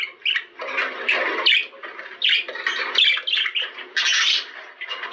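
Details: Budgerigars singing, played to stimulate mating; a dense run of harsh, scratchy chirps and squawky warbles in short overlapping bursts, loud and continuous with brief dips, indoors.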